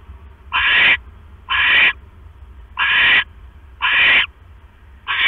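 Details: Owl at the nest at 11:21 PM on 5 October 2015 as the male brings a rat; the female finishes it quickly and settles back on her eggs. Harsh, hissing screeches of about half a second, five in a row with short gaps, over low hum.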